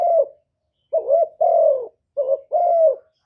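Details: Decoy spotted dove cooing in a contest with a wild bird: low, soft hooting coos in short phrases, each a brief note followed by a longer drawn-out one, repeated after short pauses in a quiet setting.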